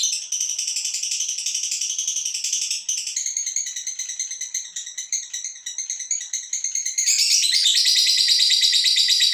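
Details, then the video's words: Female fighter lovebird performing a long ngekek, used to provoke other birds, a continuous high buzzing rattle of rapid pulses with shifting tone, growing louder and denser in the final two seconds. "Lovebird Betina Fighter Ngekek Untuk Membuat Emosi Burung Anda!!"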